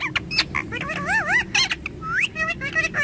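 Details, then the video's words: Excited pet parrot speaking Hindi, producing wavering, sliding voice-like syllables with rich harmonics, a rising whistled swoop and rapid short chatter throughout, over a low steady indoor hum. "Talking Parrot In Full Excited Mood And Speaking In Hindi"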